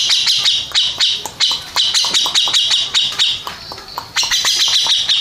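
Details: A contest-winning grey-cheeked bulbul pours out quick, harsh, chattering notes, roughly four per second. The notes come in clustered bursts with barely a pause.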